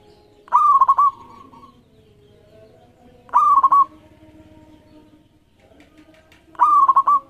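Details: Zebra dove of local stock repeating its song, used to coax other birds into singing: three mellow phrases, a drawn coo then rapid rolling notes, about every three seconds, over soft background hum.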